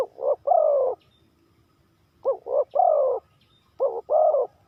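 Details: Spotted dove cooing in the 3-kuk hanging pattern: three phrases, each with short leading notes and a longer, rolling, slightly falling final coo.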